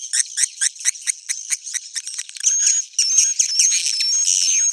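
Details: Swiftlet roosting lure (suara inap): a fast series of short clicking buzzy notes about two per second, giving way to continuous high buzzing chatter with faint rising whistles.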